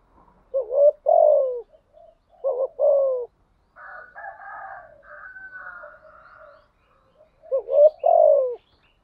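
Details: Spotted dove kept as a decoy, giving two rounds of low falling coos, then a pause filled by a higher wavering chirping sound, before the cooing returns near the end.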